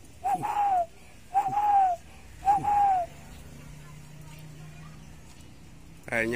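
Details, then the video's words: Spotted dove from a tame pair, said to be about six or seven months old and often set free rather than caged; three mellow two-part coos about a second apart, then quiet, ending with a burst of human speech. "Sepasang Burung Derkuku Jinak Gacor"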